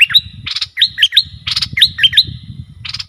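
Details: Excited bulbul, roused against rival wild birds, gives loud, clipped, upswept notes in quick groups, interspersed with harsher bursts, over steady low background noise.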